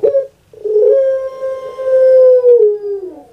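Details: Kept puter pelung dove, a breed prized in Java, Indonesia, giving a brief opening note, then one long drawn-out steady tone held for over two seconds before dropping and fading.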